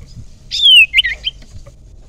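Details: Young wild common iora used as a lure bird, giving a clear descending whistle followed by short twisting high notes.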